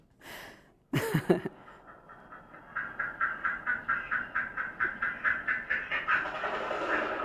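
A mallard in flight gives a brief harsh note, then a steady run of about sixteen short, rasping pulses, roughly three per second, over a faint background hiss.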